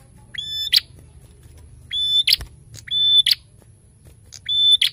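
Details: Prinia in lively narung song: four phrases, each a long shrill whistle cut off by a rasping buzzy burst, with uneven gaps. A single sharp knock is heard midway over a low background hum.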